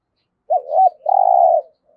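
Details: Spotted dove kept as a decoy bird for trapping, giving a short coo: a quick note, a wavering note, then a long, even, slightly rough coo, on a clean, quiet background.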